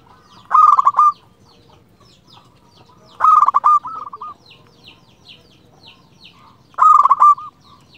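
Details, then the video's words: Local zebra dove used as a lure to get other doves singing: three loud cooing phrases about three seconds apart, each a burst of fast notes ending in a short roll, with faint chirps behind. "Perkutut lokal gacor RAJA PIKAT ini ahlinya bikin semua burung perkutut gacor NYAUT"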